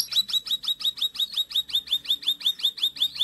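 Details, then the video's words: Konin song used as a training recording for other birds: a fast run of sharp, downslurred high chirps repeated about three times per second, steady and even, with no other clear sounds. "Masteran Konin Gacor Full tembakan"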